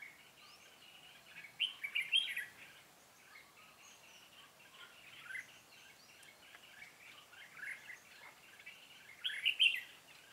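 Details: Red-whiskered bulbul trapping, 'Cánh bướm' type, 13 March 2017; continuous chattering bulbul-like phrases over background noise, with louder bursts near the start and end.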